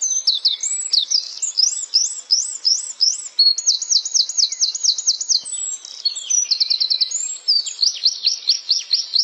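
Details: Flowerpecker song: a continuous, lively series of very high, hooked chip notes in quick runs of about five to ten, changing pitch between phrases, with no other sounds.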